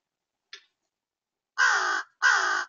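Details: Two crows, pleased that peanuts are back, giving two kinds of caws: a faint short note, then two loud, harsh, drawn-out caws about half a second each, close together.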